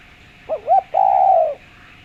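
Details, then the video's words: Spotted dove with a clear voice, used as a lure to make other doves call: two short low coos followed by a longer drawn-out, slightly falling coo. "Derkuku suara jernih buat pancingan"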